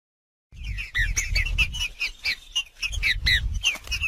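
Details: Green-winged saltator singing in the wild in its 'macheando' style: a rapid series of short, slurred whistled notes, some dropping in pitch, over a low rumbling background with scattered clicks.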